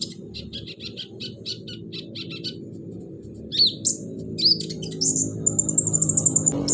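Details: Caged sunbird, known locally as kolibri ninja, song played to coax a reluctant bird into singing: rapid high buzzy chip notes, then sharp rising squeaks and a run of thin high trilled whistles, over a low steady hum.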